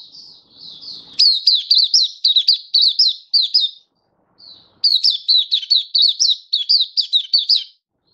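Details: Oriental white-eye, a kept hobby bird in song display, recorded 24 February 2023: two bursts of rapid, high, sweet chirping notes, each dipping slightly in pitch and strung together for about three seconds, separated by a short pause.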